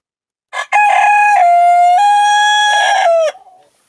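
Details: Young domestic roosters, still growing, crow on a Siberian homestead during morning goose feeding: a short clipped opening note, then one long, steady, loud crow held about two and a half seconds that dips slightly before cutting off.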